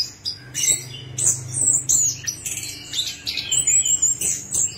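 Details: Orange-headed thrush song played as a lure to make a silent bird start singing: varied high whistled and chattering phrases in quick bursts, with a steady low hum underneath.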